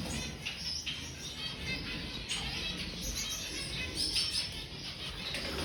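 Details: Zebra finches about to go to sleep give soft, brief chirps and nasal notes over a steady background hiss.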